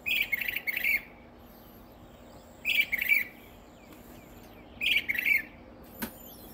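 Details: A Northern mockingbird sings in the early morning from hiding in a peacock flower bush about 10 feet from a door in south coastal Texas: three harsh, chattering phrases, each under a second, repeated about every two seconds, then a faint click.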